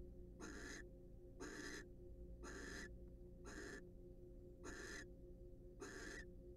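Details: Wild barn owls at their nest box during mutual preening and courtship; a series of six breathy, rasping hisses, each under half a second, about one per second, with low background hum.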